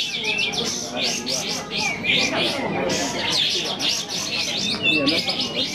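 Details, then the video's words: Several sooty-headed bulbuls sing together during a songbird contest, a busy chorus of quick high chirping notes and rising whistles that overlap without pause, over a low murmur of background noise. "Lomba burung kapas tembak"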